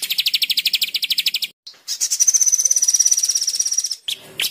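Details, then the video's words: Murai batu song meant for teaching birds dense 'tembakan' phrases. Evenly spaced, sharp repeated notes give way to a high, steady, rattling trill about two seconds long, then short separate calls. "Masteran suara tembakan rapat mantap"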